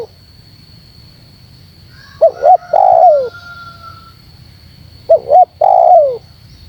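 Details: Spotted dove luring wild doves: two phrases of paired short notes plus a long falling coo, about three seconds apart; a thin whistled tone briefly accompanies the first phrase.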